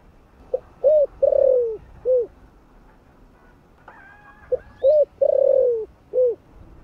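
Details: Cooing spotted dove of the 'thổ' voice type, used to set off wild-caught birds. Two full phrases, each a clipped opening note, a curved coo, a long quavering falling coo and a rounded last note, with brief chirps and a rustle between them.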